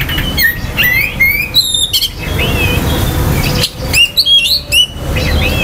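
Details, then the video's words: Oriental magpie-robin song meant to quickly excite other magpie-robins' emotion and breeding urge: crisp rising whistles and sharp chirps in short phrases, a quieter sustained stretch midway, then another lively burst, over low background hum. "KICAUAN KACER || CEPAT MERANGSANG KACER LAIN TERDONGKRAK EMOSI DAN BIRAHINYA."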